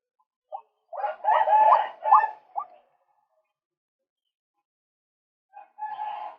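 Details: Male White-breasted Waterhen, a recording used to lure birds: harsh, clucking notes in a burst of about two seconds, then a short pause and a fainter repeat near the end.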